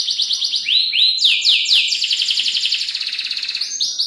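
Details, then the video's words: Local canary song for training caged songbirds, with rapid trilled notes, downward-sweeping whistles, then quick repeated pulsed trills ending in short rising notes. "KENARI SUPER MEWAH, GACOR DOR"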